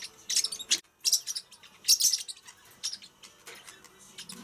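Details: Pacific parrotlets giving bursts of high, shrill chirps and squeaky notes, separated by short gaps, with a faint lower rustle toward the end.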